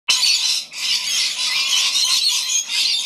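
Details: Many rainbow lorikeets gathered to feed on a rainy day on the Gold Coast, a dense chorus of harsh, shrill screeching squawks overlapping continuously, briefly dipping near the middle before resuming.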